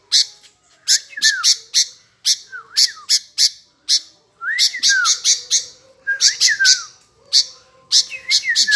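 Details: Sooty-headed bulbul, kutilang, singing busily: clusters of piercing, scratchy high notes punctuated by short downslurred and upslurred whistles, a faint low hum in the background.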